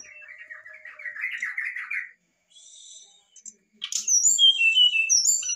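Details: Brown-chested jungle flycatcher in excited, provoking song: a buzzy, warbling run of notes, a soft pause, then loud high whistles sliding downward in quick succession.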